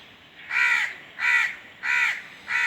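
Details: Crow calling with four loud, nasal caws repeated about every 0.7 seconds over a quiet background.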